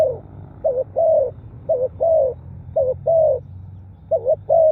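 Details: A spotted dove coos steadily in a recording for luring wild birds, with loud, close phrases, each a short two-part coo followed by a smooth drawn-out falling note, coming about once a second.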